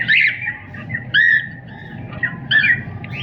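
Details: Cockatiel calling with harsh squawks and sliding whistled chirps, three loud bursts in quick succession over a low background hum.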